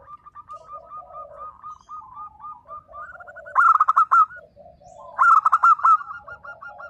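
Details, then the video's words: Local zebra dove singing, meant to set silent birds calling back: a soft train of repeated rolling coos, then two loud bursts of rapid, bubbling coo notes. "perkutut lokal gacor _suara nembak perkutut lokal bisu_ 100% LANGSUNG NYAUT"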